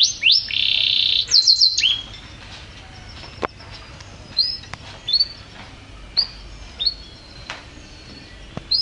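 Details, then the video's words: A yellow canary opens with high, rapid rolling trills, then gives short, bright chirps and upswept notes every half second or so over a quiet background. "Yellow Canary Bird"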